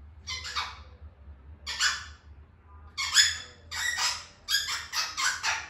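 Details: Grey parrot from Gabon, a pet, utters harsh, raspy squawks, singly at first, then in a quickening series of five or six rough bursts over a low indoor hum.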